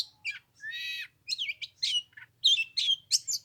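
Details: Oriental magpie-robin in song during cold Lunar New Year weather: harsh buzzy bursts mixed with bright whistled slurs in short, varied phrases, over a faint low hum.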